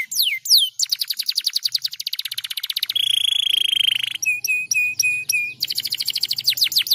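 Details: Canary song used to encourage other canaries to sing: loud, varied tours opening with steep descending whistles, then rapid rattling trills, a long steady whistled note, clipped repeated chips and a final fast sweeping trill.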